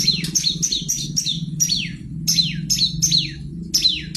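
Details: Long-tailed shrike song meant as a lure to make birds sing: clusters of sharp, high, downward-slurred notes in quick bursts with short gaps, over a noticeable low humming background.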